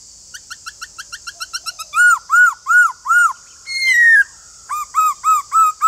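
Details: White-cheeked laughingthrush singing, a song used to encourage caged birds to sing: a quick run of short rising chips speeding up, then loud arched whistles repeated about three per second, a long falling whistle, more arched whistles.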